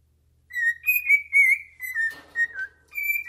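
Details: Cockatiel (Nymphicus hollandicus), a pet bird singing to its owner's foot indoors: a run of clear, slightly warbling whistled phrases at a steady high pitch, interrupted once by a brief scratchy rustle.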